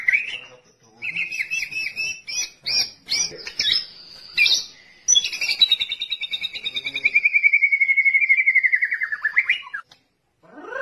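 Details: White-rumped shama singing, a song used as a model for training other songbirds: varied loud whistled phrases and sharp clipped notes, then a long, rapid trill of repeated notes slowly falling in pitch before a brief pause.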